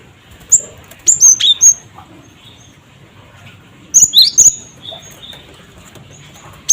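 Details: Lure calls of a cinereous tit in the cret cret wucit style: a rapid string of four shrill whistled notes, a pause, another quick burst, then one final sharp note over a quiet, steady background.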